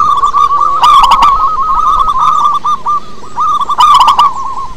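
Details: Zebra dove of a local wild strain, sound meant as a lure: a dense stream of quick rolling coo notes at steady mid pitch, interrupted twice by brief clattering clicks.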